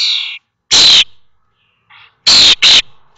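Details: Young common starlings, 21 days old, in the nest at Théding on 19 May 2024 as the brood fledges; short loud rasping bursts, a paired double screech near the end, with a faint buzzy note between.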